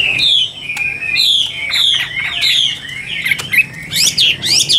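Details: Chinese hwamei, caged Tam Hoàng bird, giving a flowing song of slurred whistles that glide up and down, ending in sharper, bright rapid notes; low room noise underneath.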